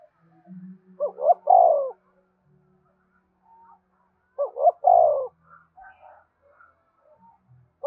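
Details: Spotted dove cooing played to get captive birds calling along: two phrases of clipped rising notes ending in a long, sliding, falling coo, separated by quiet gaps with faint low hums and scattered soft notes.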